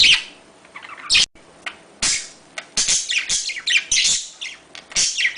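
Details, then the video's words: Budgerigar mating chatter used to prompt breeding: a soft warble, a sudden harsh screech, a pause, then steady scratchy chirping and twittering. "اصوات تزاوج طائر البادجي"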